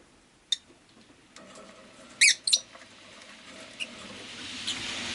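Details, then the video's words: Pet rosy-faced lovebird giving a quick pair of sharp, high squeaky chirps in mid-clip, with a faint click before them and a soft rising hum of street traffic in the background. "Lovebird Chirping Sounds"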